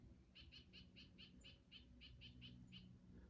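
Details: Black-crested titmouse (Baeolophus atricristatus), one of two or three in a small October flock in Chaetura Canyon, Texas: its louder distinctive call, a quick run of about a dozen harsh, evenly spaced notes, roughly five a second, over a low rumble.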